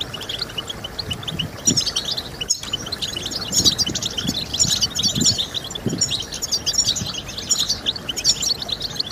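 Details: European goldfinch song played to stimulate singing: busy, tinkling twitter of high chirps and rattling trills in surging bursts, with a few low thumps underneath.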